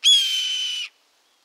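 A Red-tailed Hawk gives one hoarse, rasping screech, harsh and slightly falling, lasting nearly a second, then silence.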